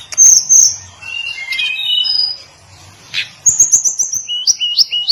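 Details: Hill blue flycatcher (tledekan gunung) song: high, clear whistled notes and short slurred phrases, a pause, then a quick run of sharp ticks and rising whistles near the end.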